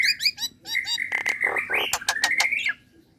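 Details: Calling to a male, a female Nias hill myna gives a short burst of quick chattering notes. A long, steady, bright whistle follows, broken by harsh rasping clicks, and the phrase ends in a falling whistle.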